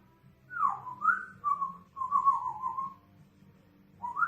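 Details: Two pet African grey parrots staying indoors at a pet hotel in Tyresö, Sweden, making sounds near people: a string of clear mid-pitched whistles, some swooping down, others wavering, then a short rising whistle after a pause.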